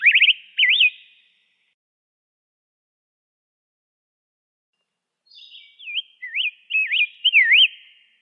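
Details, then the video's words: Rose-breasted Grosbeak singing sweet, rolling whistled notes: a quick burst, a four-second pause, then a longer warbled phrase, against an otherwise silent background. "kicauan indah rose-breasted grosbeak"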